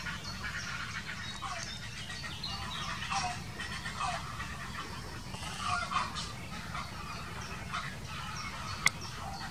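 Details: Grey heron quarrelling: harsh, rasping croaks burst out around the third and sixth seconds, with scattered rougher notes between, over a steady low rumble, faint twittering of other birds and a sharp click near the end.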